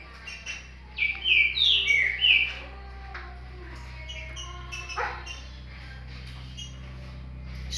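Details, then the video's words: Short burst of green-winged saltator song, Paraguayan type: three or four loud slurred whistles lasting about a second and a half, then a steady low hum with faint clicks for the rest. "Trinca Ferro Paraguai"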